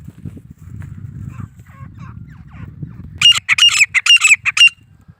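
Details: Grey francolin, locally called teetar or titur, presented as an Indian bird, gives a burst of four loud, shrill, harsh notes in quick succession. Low rumbling background noise and faint distant calls come before it.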